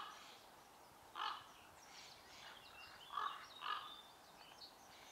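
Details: Common pheasant (Phasianus colchicus) at Ljubljansko barje, Slovenia, 21 April 2023: harsh, hoarse calls, a single note then a quick double burst a couple of seconds later, over faint twittering of other birds.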